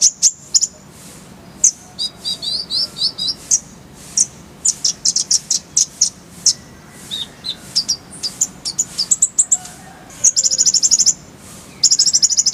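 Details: Konin, or kolibri ninja, singing as masteran training audio: a long lively medley of high chirps, slurred twitters and stuttering notes, with dense rapid trills near the end.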